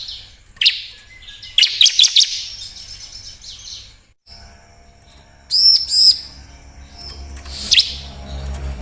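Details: Song of the bar-winged prinia, meant to provoke reluctant birds into singing: a few scattered bursts of high, shrill chirping separated by quiet gaps, with faint low rumble underneath.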